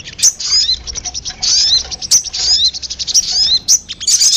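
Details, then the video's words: Sogon lure sound meant to draw birds in: dense high chattering of rapid twittered notes, with clearer sharp whistled peaks recurring about every second over a steady busy trill. "PANCINGAN SUARA PIKAT BURUNG SOGON PALING DI CARI"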